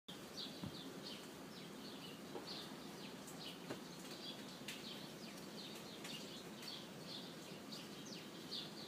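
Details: In February, by front steps, several small birds give faint, high chirps and twitters about once a second, over a steady background hiss with a few sharp clicks.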